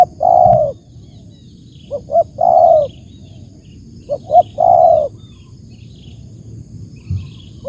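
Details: Spotted dove calling with paired short coos leading into one long, rich coo, repeated at a slow pace, clear and close with little else heard.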